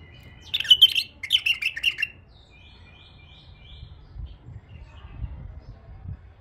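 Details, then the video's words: Female bulbul kept tame sings two close, sweet warbled phrases of fast bright chirps, then fades into faint soft notes over a quiet background with occasional low thumps. "نثيه اليفه تغريد رهيب"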